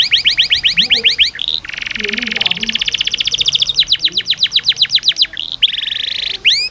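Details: Singing canary, recorded as training therapy for canaries slow to sing, alternating rapid runs of sharp rising sweeps with dense buzzy rolling trills and short pauses.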